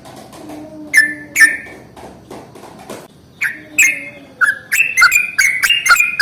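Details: Yellow-vented bulbul with a long rolling morning song meant to set other bulbuls singing: two isolated chirps, a pause with a faint low steady tone, then a quickening stream of bubbly, downslurred notes.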